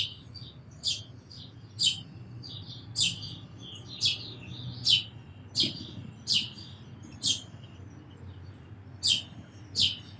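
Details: Sparrow calls: a series of about eleven crisp, high chirps over ten seconds, some doubled, with soft twittering between them and a low hum underneath.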